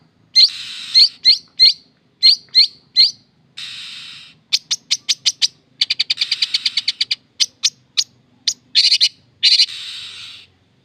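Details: Long-tailed shrike singing loudly: rapid series of sharp chirps and clicks, buzzy harsh stretches, and quick rattled trills in varied bursts, all high-pitched, with a quiet background.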